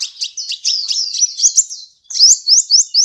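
A sunbird sings a rapid, high-pitched run of thin chips and trills, then a short pause before a series of quick rising twitters.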